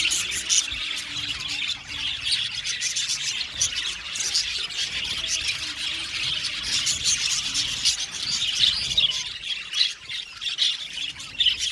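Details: Australian budgies singing and chirping in an aviary colony, an unbroken high warbling chatter with sharp squeaks and rapid bursts of repeated notes.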